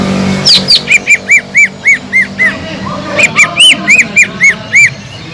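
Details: Cucak ijo (greater green leafbird) in gacor song, meant as a pancingan lure that rouses listless leafbirds into breeding mood. Delivers steady series of sharp, arched high chirps, about four a second, over a faint low hum.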